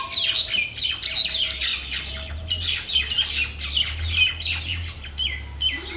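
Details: Several mynas in a Bangladeshi village keep up a busy, overlapping chorus of scratchy squawks and short chirps without pause. A few brief, lower whistled notes are mixed in, over a low background hum.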